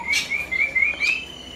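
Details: A Sri Lanka myna visiting a house on 10 December 2020 gives two short, harsh, high notes about a second apart, over a thin, steady, high whistled tone.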